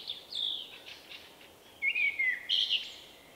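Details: Shy male Common Blackbird giving his unusual song, March 2024; a soft high squeaky start, then clear descending fluty whistles and a final bright, warbled note, over low background hiss.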